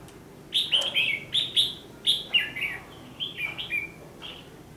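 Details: Red-whiskered bulbul fighting song serving as a trapping lure, 14 December 2015: a loud rapid series of bright, slurred whistled notes, about four per second, dropping in pitch toward the end.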